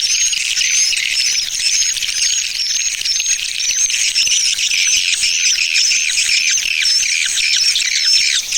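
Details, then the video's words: Swiftlet lure call of the 'Tarik Permata' style, used to attract swiftlets: a dense, continuous chorus of high, thin twittering chirps and short rising whistles, with no pauses. "Suara Pemikat Walet TARIK PERMATA"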